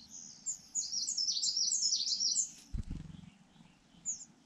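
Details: At a nest in Yunnan, China, a rufous-bellied niltava site: a fast, excited chatter of high, thin twittering notes for about two seconds, then a dull knock and a last soft high chirp.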